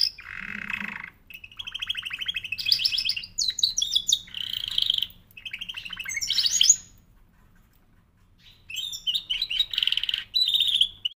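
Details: Singing canary delivering varied tours: a low harsh buzzy burst, then rapid rattling trills, high chattering phrases and sweeping notes, a pause of about two seconds, and another fast trilled passage.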